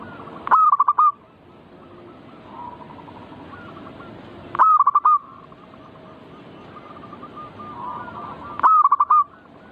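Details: Zebra dove manggung song played to make birds sing: three strong phrases about four seconds apart, each a sustained coo dissolving into fast pulsed notes, with faint distant dove phrases and steady background hiss between.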